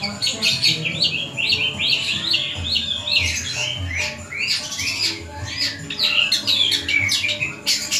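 A long-tailed shrike pours out a fast, scratchy, ever-changing jumble of chattering and squeaky notes, with a faint low hum beneath.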